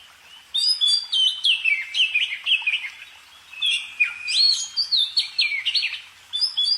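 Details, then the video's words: Bird singing two long, lively phrases of chirps, downward-sliding whistles and rapid note clusters separated by a brief pause; background otherwise still. "kicau burung"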